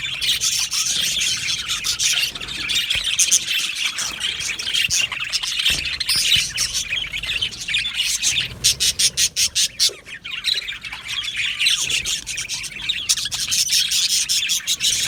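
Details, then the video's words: Many Australian budgerigars chattering in an aviary: a steady high warbling babble, broken midway by a run of quick, evenly spaced clicking chirps, then the dense chatter resumes. "Beautiful Budgies chirping sounds"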